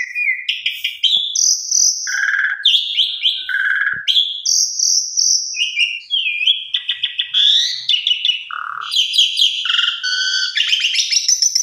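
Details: Asian pied starling tutor song for beginner birds: a long, varied sequence of buzzy bursts, throaty low notes, clear high whistles and rapid chattering, almost unbroken, with faint clicks in the background.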